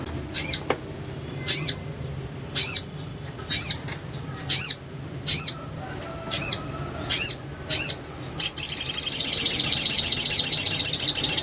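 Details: Sunbird responding to provoking playback, giving thin, high, sharp notes about once a second, then breaking into a fast, rattling high chatter near the end; low background hum.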